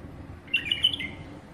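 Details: Tame pet female bulbul singing a single brief, bright warbled phrase of quick rising and falling notes, lasting about half a second against a quiet indoor background.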